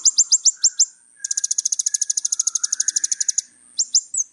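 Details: Little spiderhunter singing a long, fast run of high, sharp repeated chips, about thirty notes in steady rhythm, preceded and followed by shorter slurred chip groups; a steady high-pitched tone hums in the background.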